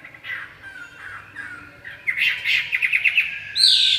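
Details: Red-whiskered bulbul starting with soft, quiet chirps, then bursting into a louder, rapid series of short chattering notes and ending on a high whistled phrase.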